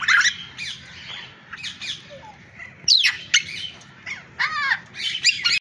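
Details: Bird chorus of harsh squawks and sharp chirps, loud rasping bursts at irregular intervals with overlapping high twittering notes throughout.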